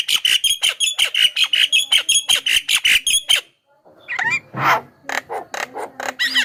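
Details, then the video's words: Javan myna song played as a lure for wild birds: rapid, regular harsh chattering notes, then after a short gap a varied mix of squeaky whistles and rasping calls. "SUARA BURUNG JALAK KEBO,suara masteran paling dicari,ahli pancingan dengan variasi suara"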